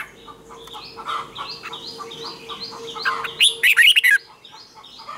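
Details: Red-whiskered bulbul morning training song in the 'double twisted' style: a loud, rapid twisting phrase cuts through a steady background of other birds repeating short rising whistles.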